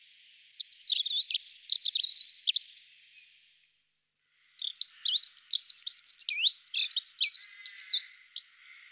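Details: Male dunnock singing: two rapid, jingling warbled phrases of high, tightly packed squeaky notes, the first about two seconds long, the second longer and slightly more varied, separated by a short silence; no other sounds.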